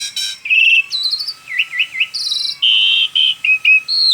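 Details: Asian pied starling in full, vigorous song, offered as a tutor recording: a rapid medley of clear whistles, buzzy rattling bursts, looping slurred notes and short chirps, each phrase changing pitch, with no other sounds.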